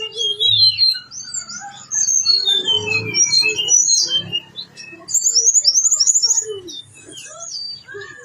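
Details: Vigorous blue-winged leafbird song rich in imitated phrases: sweeping whistles and varied chirps, then a fast run of repeated high notes in the second half, closing with softer slurred calls.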